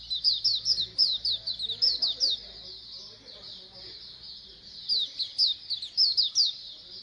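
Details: Chorus of white-eyes (pleci) meant to spur birds to sing: lively high chirping for three seconds, a softer lull, then renewed bright chirps toward the end.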